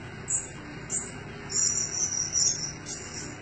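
Blue-crowned hanging parrot giving thin, shrill, very high squeaks in short bursts, roughly every half second, over a steady insect-like drone.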